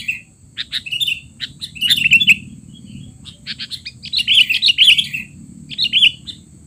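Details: Noisy sooty-headed bulbul chatter meant as a tutor recording for young bulbuls: bright, clipped chirps in quick irregular bursts, building to a dense run of warbled notes near the end.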